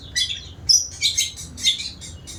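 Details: White-rumped shama singing a quick series of very high, bright twittering notes, four or five clustered bursts in rapid succession.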